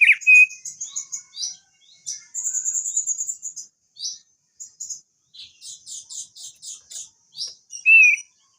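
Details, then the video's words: Crested darkeye song from a lure recording for long rolling singing: a varied high, rapid run of chirps and buzzy trilled bursts, some notes repeated in quick series, with a louder, lower whistled slur at the start and near the end. "Pancingan Opior Jambul agar Cepat Bunyi Ngerol Panjang"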